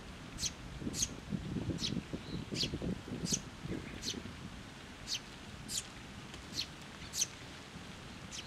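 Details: Sparrow parents and chicks arriving at a post to be fed, Tenmangu shrine, June 2024: a run of quick high chirps, roughly one every half second, alongside low rustling and shuffling noises early on.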